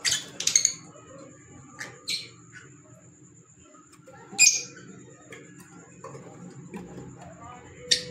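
Fischer's lovebird giving sharp, shrill shrieks and chirps in scattered bursts, with a steady high whine and low room hum behind.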